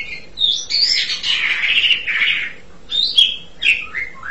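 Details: Asian pied starling singing a long harsh, grating buzz followed by several short whistled notes that slide downward.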